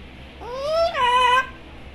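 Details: Pet parrot talking with its owners: one voiced, speech-like call that rises, then breaks into a brighter, louder second part before stopping.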